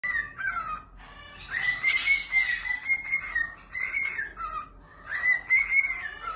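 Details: A pet bird, kept at an animal sanctuary, sings to its new toy: clear whistled phrases near one steady pitch, some wavering and sliding, broken by short gaps, with a few harsher chirps mixed in.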